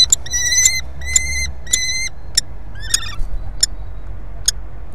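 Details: Common kestrel at the nest with prey in Brest, Belarus, on 23 April 2020. A fast run of short, harmonic, whining notes gives eight or so calls in five seconds, the early ones longer, with faint low background hum.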